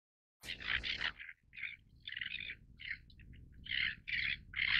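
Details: Greater crested tern calls: harsh, grating rasping notes in bursts of varying length, several voices overlapping, over a steady low rumble of background noise.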